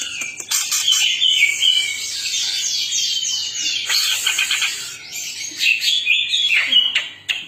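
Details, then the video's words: Twelve kept greater green leafbirds (cucak ijo), described as chatty and singing freely: a dense, continuous tangle of overlapping warbled and slurred high notes with quick sweeping phrases throughout. "12 BURUNG CUCAK IJO 🐦🐦🐦 CEREWET DAN GACOR"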